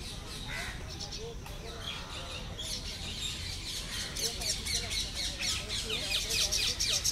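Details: Common myna (Acridotheres tristis) chicks begging as the mother feeds them at the nest, Lodhi Garden, New Delhi, 4 July 2021: harsh, rapid squawks and wheezy chirps building louder, with low background rumble.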